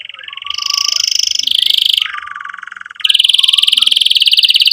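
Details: Vigorously singing canary, its 'cuit cuit' chirping meant to prompt young canaries to learn and silent canaries to sing again; rapid buzzy trills change pitch, dropping lower before a loud high rattling trill resumes.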